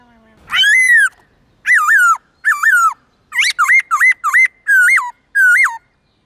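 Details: Morning song of a white-cheeked laughingthrush with many forest voices, played to train young birds: loud whistled phrases, each note rising then dipping, repeated about twice per second.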